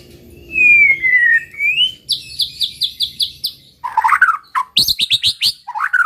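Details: White-rumped shama song to provoke rival birds: a long smooth descending whistle, then a fast series of high clipped notes, followed by warbles and more sharp high calls.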